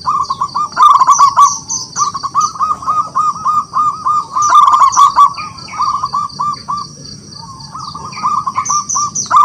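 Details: Vigorous song of a wild local zebra dove calling rivals to sing: long runs of quick, evenly pitched cooing notes in bursts with brief pauses, while other small birds chirp and twitter higher up.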